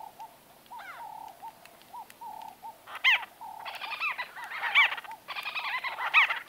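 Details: Conversing White-fronted bee-eaters at close range. Soft bubbling notes build into denser, louder rolling calls from the third second onward, with several birds overlapping.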